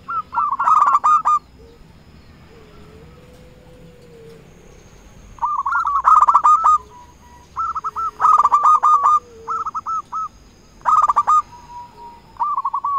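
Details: A zebra dove of local stock sings as a lure to draw rivals, giving repeated rapid bursts of soft rolling notes separated by silent stretches of a few seconds, with a fainter lower sliding tone in the gaps.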